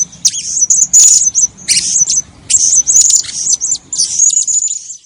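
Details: Blue-crowned hanging parrot calling, a recording suited for luring birds in trapping: rapid shrill high-pitched chirps and squeaky twitters in clustered bursts, with a few harsher rasping notes mixed in.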